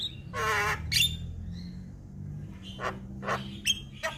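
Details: Javan myna, a champion singer in full voice: a long grating rasp and a sharp whistle, then widely spaced harsh chips and short whistled notes over faint low hum.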